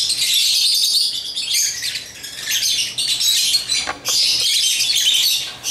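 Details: African lovebirds playing with toys and chirping, a steady, piercing high chatter of rapid squeaky notes, briefly broken by a couple of clicks before resuming loudly.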